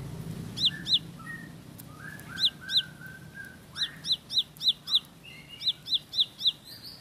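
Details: Bar-winged prinia (ciblek sawah) giving pairs and short runs of piercing high hooked notes, mixed with lower, softer whistled chirps from other birds and a low background rumble.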